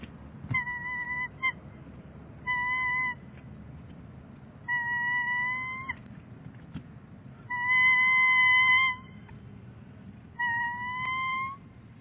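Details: Bald eagles at their nest at Big Bear Lake, a pair handling fluff the male has delivered: a series of five high, thin, slightly rising whistled calls with clear harmonics, each about half a second to a second and a half long, with soft background rumble.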